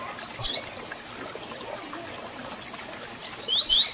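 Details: Double-collared seedeater sounds used to rouse a captive bird: one bright chip, a soft faint series of high descending whistles, then a louder burst of tangled high notes at the end, background hiss.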